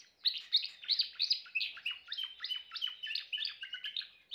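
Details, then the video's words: Timbrado canary delivering loud, choppy song phrases, with bright downward-swept notes repeated in quick bursts and changing pitch slightly from phrase to phrase. "chant canari timbrado l meilleur chant canari l اقوى تغريد كناري"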